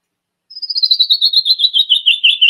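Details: Canyon Wren (Catherpes mexicanus) song: a rapid cascade of clear, sweet whistled notes sliding steadily down in pitch, about ten notes a second, with nothing else audible.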